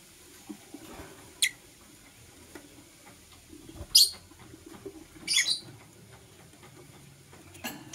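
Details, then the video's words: Green and blue masked lovebirds in the morning: three short, sharp, high chirps about 1.3 seconds apart, with a soft background hum and faint rustling. "Lovebird Singing and Chirping Sounds"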